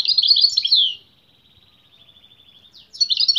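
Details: Energetic European goldfinch song, given fiercely when the bird hears a female: a loud tumbling twitter, then a long thin buzzy trill held steadily, and a fresh burst of sharp chirps at the end.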